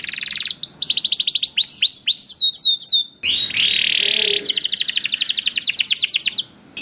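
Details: Canary song for coaxing other canaries to sing: a quick trill, a run of rising curled whistles, a long buzzy rattle, then a steady fast trill before a short quiet gap; faint background murmur.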